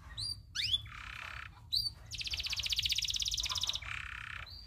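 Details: Tutor song of a local loper canary, known for long rolls: upswept whistled notes open, followed by a short low buzz, then a rapid pulsing high trill of nearly two seconds and a lower buzzy roll.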